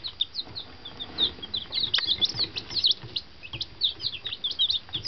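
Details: One-day-old fancy chicks, newly delivered to their henhouse after travelling half way across the country in a box, give a busy chorus of high, short rising peeps overlapping continuously.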